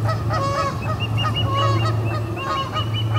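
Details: At the Charlo P2 osprey nest, 20 August 2020, a pair ejecting visitors calls with quick repeated whistled chirps, some arching, in a continuous chatter over persistent low hum.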